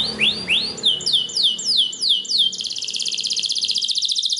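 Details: Belgian canary singing a song that encourages other canaries to sing: several slow, descending whistled swoops, then a quick, even trill held for almost two seconds.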